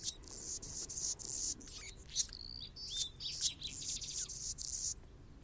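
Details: An Anna's hummingbird perched on a branch in Golden Gate Park, San Francisco, California, sings a dry, scratchy, high-pitched jumble of buzzes, squeaks and thin whistled notes for about five seconds over a faint background hum.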